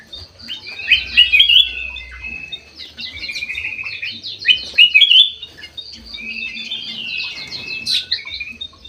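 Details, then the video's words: Golden white-eyed bulbul kept in an aviary, in full song: bright warbling whistles in loud bursts around one and a half and five seconds, linked by steady chattering chirps, with a low background hum. "KUTILANG EMAS MATA PUTIH SUPER GACOR"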